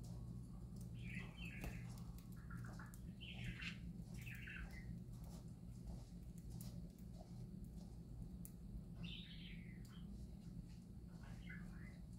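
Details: Happy parakeets singing: soft, scattered warbling chirps and chattering notes in short bursts, over a steady low electrical hum.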